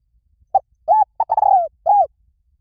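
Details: One phrase of spotted dove cooing: a clipped opening note, a rounded coo, a stuttering lead-in to a long falling croo, and a final arched coo. The recording is used to call doves in.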